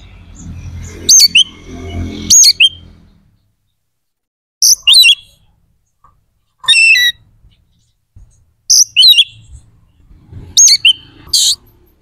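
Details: White-rumped shama song meant to raise other shamas' aggression and breeding drive: brief bursts of high, sharply slurred whistles repeated about every two seconds, with a low rumble of background noise at the start.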